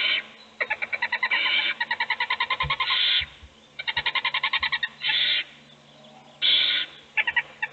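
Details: Owl chicks in a nest box, one being fed while others sleep. Fast stuttering trains of short hissing clicks, about ten per second, broken by longer rasping screeches and a few low thuds.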